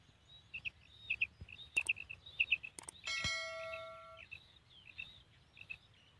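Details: Female common quail giving its kirak call: high, sharp paired notes repeated about every half second against low rumbling background noise. A loud ringing, bell-like clang cuts across the middle.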